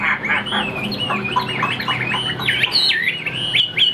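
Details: Chinese hwamei singing in a cage outdoors: lively whistled phrases with quick upward and downward slurs, becoming louder and more emphatic toward the close.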